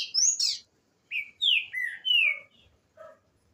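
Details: Green-winged saltator, or trinca-ferro, singing at the start of the season: loud clear whistled phrases, slurring downward in pitch, come in two bursts, followed by a couple of short low notes.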